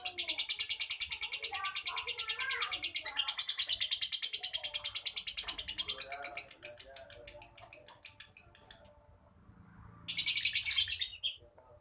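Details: Lovebird giving a long run of shrill, rapidly pulsed chatter for about nine seconds, then a brief pause and one more short burst of the same harsh pulsing.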